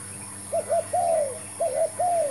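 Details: Spotted dove cooing during a trapping session with a new decoy bird; two phrases of two short rounded coos, each followed by a long smoothly falling croo, against a steady background hiss.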